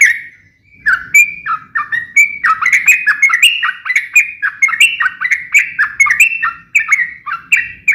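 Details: Yellow-vented bulbul giving a sharp, rapid-fire fighting song meant to make other bulbuls answer: a long run of bubbly, slurred chirps that rise and fall between mid and high pitch, delivered in quick succession after a short opening note.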